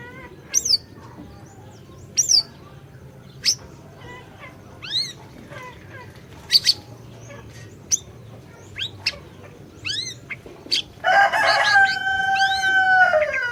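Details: Orange-bellied leafbird singing energetically, used as a lure to get a silent bird singing: sharp, high upslurred and downslurred whistles spaced about a second apart, then a loud, harsh, harmonic burst with a descending whistle at the end.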